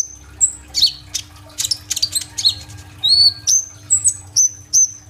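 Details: Lively kolibri ninja sunbird singing as a lure for other birds, recorded by phone: scattered sharp chirps, then a run of clear high whistled notes that rise and fall, about two each second, over a low hum.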